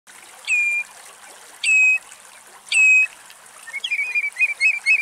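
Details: Spur-winged lapwing (Vanellus spinosus) in Greece gives three loud, shrill, metallic notes about a second apart, then a quick run of short sharp notes, with running water trickling behind.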